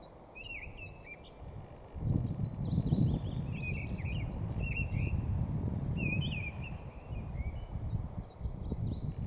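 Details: Mistle thrush singing on 13 April 2021: short fluted, whistled phrases with slurred up-and-down notes, given in quick bursts separated by brief pauses, with fainter high chirps from other birds and a steady low rumble of wind or traffic throughout.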